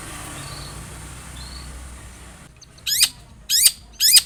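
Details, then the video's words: After a few seconds of faint hiss, a long-tailed shrike lets out three loud, harsh descending rasps about half a second apart, meant to provoke another shrike into answering. "SUARA cendet gacor INI AMPUH untuk pancingan agar cendet bunyi"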